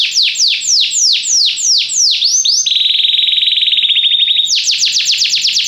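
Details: Belgian canary performing training song for fellow canaries: loud, fast descending whistled sweeps, shifting into a level buzzing roll, then back to rapid sweeps.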